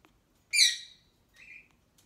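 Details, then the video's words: Hormonal female African grey parrot kept as a pet: one loud, harsh squawk rich in stacked harmonics, then after a short pause a softer, brief tonal note, in a quiet room. "African Grey parrot being hormonal"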